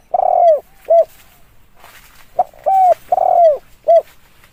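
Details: Spotted dove calling for use as a decoy lure: mellow, low cooing notes, some drawn out and slurring downward, others short, in an irregular series over light background hiss.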